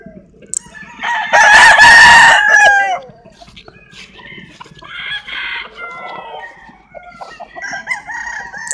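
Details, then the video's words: Roosters crowing among chickens: a loud, harmonic crow about a second and a half long, then fainter overlapping crows and clucks from other birds in the flock. "Chicken sounds, Roosters Crowing sound effects"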